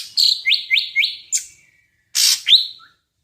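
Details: Medan-type greater green leafbird in full-isian song: four quick rising whistled notes on one pitch, a sharp chip, a pause, then a harsh burst and a final upslurred whistle.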